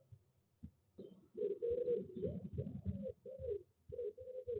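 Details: Female tawny owl in a nest box on 26 February 2021, the day she laid her first egg, after the male had brought her a mouse: soft, low, hollow cooing and crooning notes in short wavering half-second bursts, close up.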